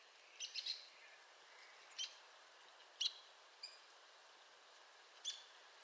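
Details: Arizona woodpecker producing irregular sharp, high call notes, a quick double at the start and then single notes spaced about a second apart, over soft steady noise.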